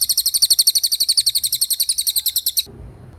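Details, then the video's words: Rapid 'roll speed' trill of a Common iora, fast repeated high notes about eight per second, ending abruptly and followed by a brief low rustling noise. "Suara Cililin Gacor Roll speed"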